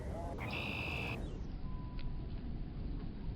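A Common Grackle gives one brief, squeaky, metallic note answering its mate, over a steady low rumble of wind or traffic.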